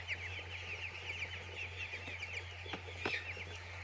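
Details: Chicks on a poultry farm, a dense chorus of high, short chirping peeps overlapping continuously, with a few louder sharp clicks near the end over a steady low machine hum.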